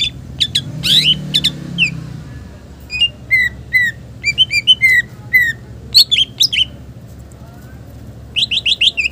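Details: A green leafbird (cucak ijo) in lively 'gacor' song for tutoring other birds. It gives a varied mix of harsh chips, a rising sweep and series of short downslurred whistles, ending in a quick cluster of high notes.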